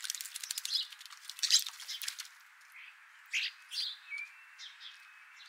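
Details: Bathing European starlings in the morning: about two seconds of rapid splashing and wing flutter, then scattered squeaky chirps and a short thin whistle.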